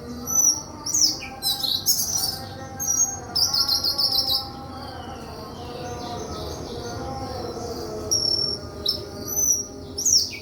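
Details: White-throated flycatcher singing: high, thin whistled notes and sharp chirps in quick bursts roughly every second, with quieter gaps between phrases and a faint low hum behind.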